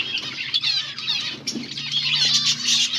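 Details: Several finches eating green food on 17 August 2024 twitter at once in a dense, continuous stream of quick, high chirps, over a faint low hum.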